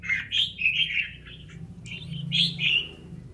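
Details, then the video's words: Red-whiskered bulbul, a single bird of good quality, sings two quick runs of liquid warbling notes with rising and falling slurs over a steady low humming background. "1 em chào mào tố chất"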